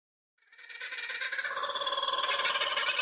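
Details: Kookaburra laughter rising out of silence, the sound likened to human laughing, swelling quickly into a dense, rapid cackle that holds steady and loud to the end.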